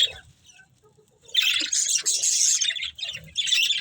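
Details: Breeding pair of budgerigars kept as a family: scratchy, squawky chattering in dense bursts with short pauses, the noisy warble swelling for over a second at a time.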